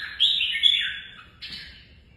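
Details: Red-whiskered bulbul under competitive song training giving a long, rich, slurred whistled phrase that falls away, then a short, higher follow-up note.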